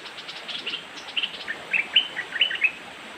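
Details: Short chirping phrases from a young white-eyed cream-vented bulbul: quick bright notes, some slurred downward, tumbling together in a loose series of about eight accented chirps over faint background hiss.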